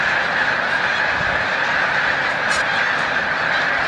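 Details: Large migrating flock of snow geese taking flight at Montezuma, New York, 7 March 2022; steady dense clamor of many honking voices, unbroken from start to finish.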